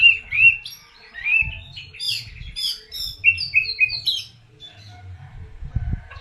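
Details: White-rumped shama song used as a lure to draw other shamas to answer: loud, varied whistled phrases, rising and falling slurs and sharp chirps over about four seconds, with low thumps and handling noise beneath.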